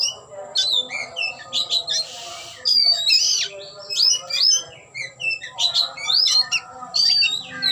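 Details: Displaying oriental magpie-robin with tail opened, delivering a rich, continuous run of shrill whistles, chirps and harsh squawky notes in quick varied phrases, barely pausing, over a faint low background hum.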